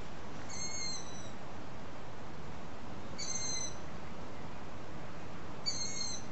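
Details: Young long-eared owls, fed by their parents well after sunset, give thin, squeaky, drawn-out begging calls like a creaking gate, about every two and a half seconds, over a low rumble.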